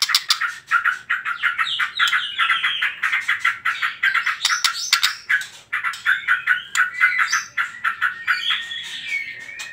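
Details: White-rumped shama delivering a rapid trotol song, used to stir other birds to sing: a steady stream of stuttered notes with rising and falling whistled phrases and a few higher clear slurs near the end.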